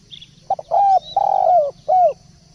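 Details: Energetic spotted dove song: a quick stuttered start, a long sustained coo, a longer wavering coo and a final falling note, soft and low, with a faint high chirp at the start.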